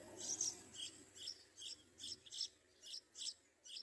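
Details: Baby Yellow-vented bulbuls in the nest begging for food: thin, high, rasping squeaks repeated about every half second in a steady series, the background otherwise quiet.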